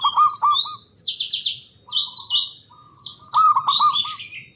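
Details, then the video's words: Lure song of a local Javanese zebra dove, loud and long-breathed, meant to make silent doves reply. Stuttering low cooing notes and held tones alternate with prominent high whistled chirps from other birds. "Pancingan Ampuh Pendongkrak Perkutut Bisu🔇 Malas Bunyi🔊 Bikin Rame"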